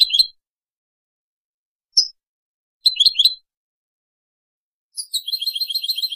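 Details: European goldfinch, a mutation colour form, giving short separate bursts of high twittering notes with long silent gaps, then a faster twittering run at the end.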